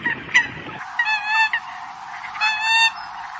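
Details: Eurasian coot call used to summon the flock: two drawn-out, ringing nasal honks, each about half a second, after a brief burst of mixed calls.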